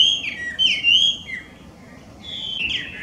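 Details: Chinese hwamei, a wild invasive bird in Japan, giving loud whistled song: two bright slurred phrases, a short gap, then a drawn-out falling whistle.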